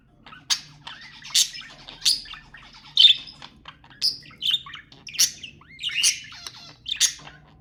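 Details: Budgerigars chattering, sounds played to stimulate mating: dense warbling with sharp high chirps and squawks bursting roughly every second over a soft continuous twitter; low steady hum beneath.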